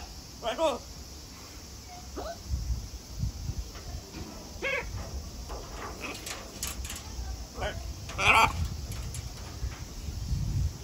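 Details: Harlequin and Catalina macaws kept at Atagawa Tropical & Alligator Garden give short, harsh, broadband squawks, scattered irregularly across about eleven seconds, with a loud burst near the eighth second, over low background rumble.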